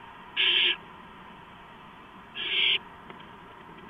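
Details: Barn owl at the nest, late night of 2 April 2015, during a gopher delivery. Two loud, harsh hissing screeches about two seconds apart, followed by a soft click.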